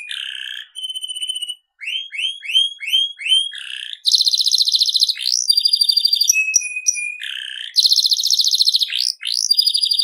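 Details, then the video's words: Singing canary: repeated upslurred chirps in a short series, then loud rapid buzzing trills, a level pure whistle, more rolling trills and brief rising notes. "BURUNG KENARI SERI FI GACOR"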